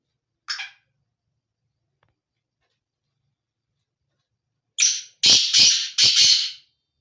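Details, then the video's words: Black francolin (kala teetar) calling: one short harsh note, a long silence, then a loud grating phrase of a brief lead-in note and four rasping notes in two quick pairs, about two seconds long. "کالا تیتر کی آواز"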